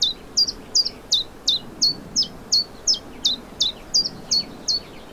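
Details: Common chiffchaff singing in spring on 29 May 2023 in the Vilaine estuary, Morbihan, Brittany, France: high, clipped notes alternating between two pitches, delivered steadily at roughly three per second over a quiet background.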